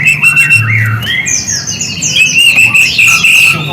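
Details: White-rumped shama song meant to draw a reply from silent birds: a high, thin steady whistle runs through while rapid chirps and descending slurred notes stack above it, with faint low hum.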